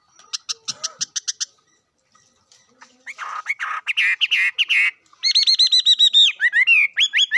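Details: A bird opens with a row of thin high ticks, then bursts into a loud varied song of buzzy rolling notes and rapid repeated whistled slurs.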